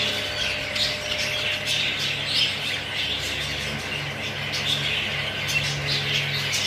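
English budgerigars chatter with a dense, continuous wash of scratchy squawks and warbles, many birds calling at once, over a low steady hum.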